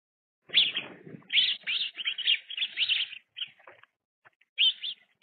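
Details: Young sparrows play fighting at a feeder: a rapid run of bright, sharp chirps and twitters for about three seconds, then a short pause and a brief final burst of chirping.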